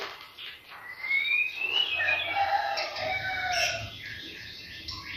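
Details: Lure song from a white-rumped shama for provoking other birds: a long rising whistle sweep followed by warbling, sliding phrases and a brief high flourish.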